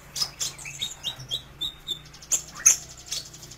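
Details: Sunbird known as kolibri ninja, a tutor recording: a quick series of thin, high descending twitters followed by a few sharp, very high chirps, spaced roughly every quarter second.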